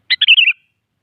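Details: A single brisk bulbul phrase, given in the morning as a rival challenge by a sooty-headed bulbul: a clipped opening note, then a fast tumbling chain of liquid, falling warbles, with nothing else audible.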